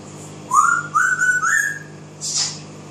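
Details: A pet African grey parrot, singing and imitating, whistles three smooth rising notes in quick succession, then gives a short breathy rasp over a low steady hum.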